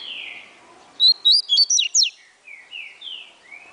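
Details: Double-collared seedeater from a breeder delivering an atilharia song: five rapid, ringing whistled notes jumping up and down in pitch, then fainter rasping chirps from other birds.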